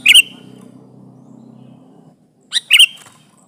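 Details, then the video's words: Sooty-headed bulbul, sung as a trapping lure against a rival: two short bright chirps with downward whistled endings, separated by a gap with low background hum. "Suara burung kutilang gacor menekan lawan, pancingan pikat kutilang ribut & kutilang diam"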